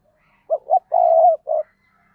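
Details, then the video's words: Decoy spotted dove calling to lure and excite wild doves: two short soft notes, a long low sustained coo, then one brief closing note, all in one clean phrase. "Chim Cu Mồi, cu gay kich boi nhanh noi gù hiệu quả nhất 2023"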